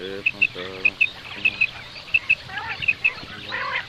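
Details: Common quail (batair), a call used by hunters: clear, high whistled notes in quick pairs, repeated about every 0.6 seconds, over lower harmonic nasal sounds and other voices in the background.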